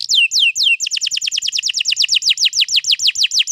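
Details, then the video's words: Canary rolling song used as a prompt to get a canary singing, recorded 21 April 2022: a few descending whistled slurs, then a fast steady series of repeated downswept high notes. "pancing burung kenari jadi ikut bunyi GACOR Ngerol Panjang"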